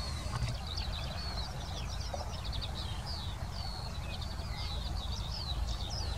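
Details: Eurasian skylark in the Wittlich basin, Germany, singing a continuous, high, rapid warble of twittering trills and thin whistles without pause. Heavy low rumbling noise lies underneath throughout.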